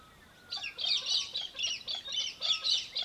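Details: Australian hobby recorded in Victoria, Australia, in December 2023, giving harsh, rapid chattering bursts after half a second of quiet, roughly three or four bursts per second in pulsing groups, with a faint steady whistle from another bird beneath.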